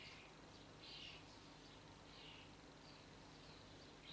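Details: A juvenile common starling fledgling in a garden, being fed by its parents and about eight other adults, gives faint, harsh, raspy begging calls in short bursts about once a second, over a low steady hum.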